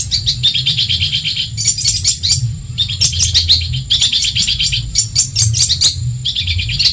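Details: Training song of a Madura long-tailed shrike, meant to rouse rival birds: short bursts of scratchy, metallic chattering notes, roughly a second each, separated by brief gaps, over low background hum.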